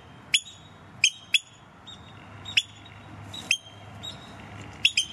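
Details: Oystercatchers visiting in May–June, bold and very noisy near the person filming, give loud, shrill piping 'kleep' calls, singly or in quick pairs, about seven in five seconds, over a soft background hiss.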